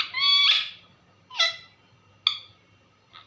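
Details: Indoor pet parrot calling out to its owner, called mummy: one long, strained, harmonic squawk, then two shorter clipped calls and a tiny final chirp, spaced about a second apart over quiet room hum.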